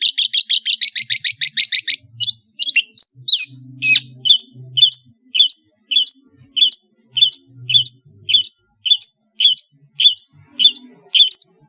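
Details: Long-tailed shrike from Madura singing a varied master song: a fast burst of high chattering notes, then sharp whistled notes repeated at about one-second intervals.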